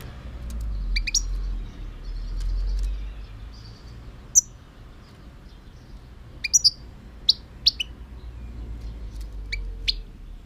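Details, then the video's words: European goldfinch giving scattered short, high, sharp chirps, some single and some in quick pairs, separated by pauses, over a faint low background rumble. "chant chardonneret"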